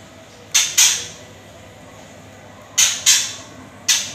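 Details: White-rumped shama giving harsh, rasping rattle bursts, used to train fighting shamas, mostly in quick pairs separated by about two seconds of quiet background hiss.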